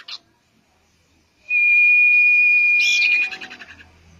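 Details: Common iora singing, played as bait to get a bird singing quickly: a short high note, then one long level whistle lasting nearly two seconds, finishing in a burst of buzzy, rattling notes.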